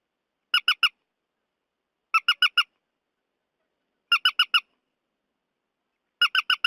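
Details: Purple swamphen call used to lure birds into nets at night: clipped, raspy squawks delivered in tight runs of three or four notes, each run repeating about every two seconds with clean silence between.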